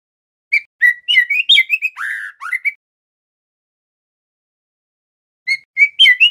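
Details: Juvenile male White-rumped shama, trotol stage, learning song: about two seconds of quick varied whistles and a burry phrase, a long silence, then the same whistled sequence starting again.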